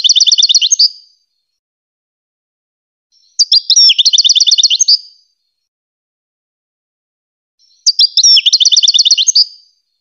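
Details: Three separate goldfinch song bursts, from a recording meant for teaching hybrid chicks to sing, spaced about three seconds apart. Each is a quick, high, twittering rattle of repeated notes with a short scratchy opening. No background sound.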